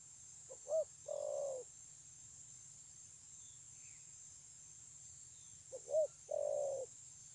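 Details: Spotted dove, 9 June 2020, its cooing called very good: two low three-part phrases about five seconds apart, each a quick soft note, an arched coo and a long drawn-out hum, with steady high background hiss.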